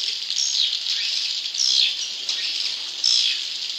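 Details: Swiftlets inside a swiftlet house twitter in high, thin chirps, with brief bursts about every second or so over a steady hiss of many overlapping voices.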